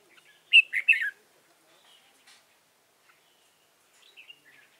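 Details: Red-whiskered bulbul used as a trapping decoy in Dong Nai, 15 November 2017; one loud three-note warbled phrase, then near silence with faint distant chirps.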